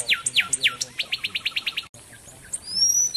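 A wren sings three sharp downward-sweeping notes, then a fast run of about nine bright chips. After a brief pause, thin high whistles follow.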